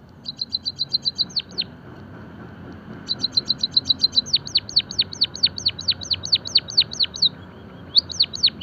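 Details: Java sparrow masteran song: a quick clicking run ending in falling notes, about a second and a half of quiet, then a longer stuttering trill and a string of high, sharply descending notes, repeated at the end.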